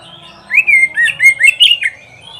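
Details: Oriental magpie-robin (kacer) song for training caged pet kacer in Indonesia: one phrase of six to seven sweet whistled notes, slurring up and down, delivered in about one and a half seconds over a quiet background.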